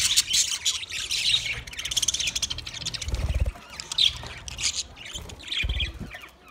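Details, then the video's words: Twenty pairs of budgerigars twittering in quick overlapping bursts of high, scratchy chirps, with a few soft low thuds between. "20 Budgie pairs chirping sounds"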